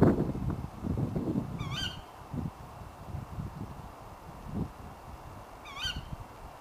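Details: Late-night calls of a female Tawny Owl: a pair of short, shrill upward-hooked 'kewick' notes roughly four seconds apart, with some low thumping noise early on.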